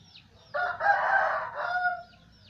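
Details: Red junglefowl from Aceh used as a lure bird, crowing one harsh, strained phrase about one and a half seconds long that holds steady and then fades. A faint low hum sits underneath.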